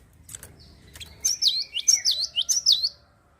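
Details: Java sparrow singing to stir other birds into song: a brief string of bright, high chirps, each dipping sharply, preceded by soft clicks and a faint thin whistle.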